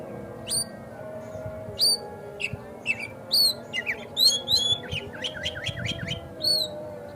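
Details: White-rumped shama song to make a kacer sing and open its tail: scattered whistled notes building to a rapid series of high downswept chips, then one last whistle, with faint background hum.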